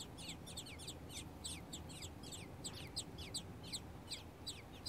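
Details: Three-day-old baby robins calling for food with sharp, high chirps in quick bursts, roughly two to three per second, some notes louder than others, against steady low background noise.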